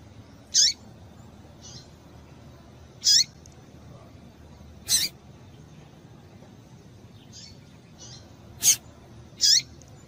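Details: Female double-collared seedeater calling to excite the male and set him singing: six short, high, sharp chip notes spaced irregularly over ten seconds, some strong, some faint, over a low steady background hiss.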